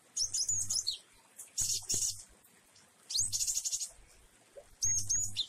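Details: Java sparrow singing the 'jueh variasi' song style, recorded with rain; short bursts of high, sharp chirps and whistled slurs, four phrases about every one to two seconds, with a low hum between them.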